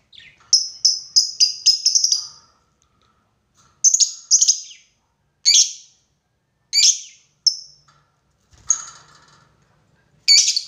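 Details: Lovebird calling a rival in a lure recording of long ngekek chattering: a rapid run of shrill, buzzy notes for about two seconds, then separate sharp shrieks every one to two seconds.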